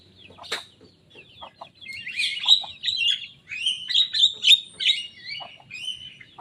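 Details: Young Javan myna mimicking rival birds' songs: sparse clicks and soft notes at first, building into quick, scratchy chattering phrases with sharp squeaky accents.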